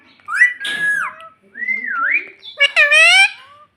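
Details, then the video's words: Pet parrot talking, said to call "mummy": high, wavering whistle-like voice with sliding pitch, ending in a strong buzzy, harmonic-rich phrase. "Parrot Talking Mummy Mummy"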